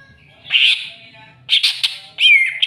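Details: Greater green leafbird, stirred up against a rival, gives three loud bursts of harsh, squawky high notes. The last burst ends in a sliding whistled tone. Short quiet gaps separate the bursts.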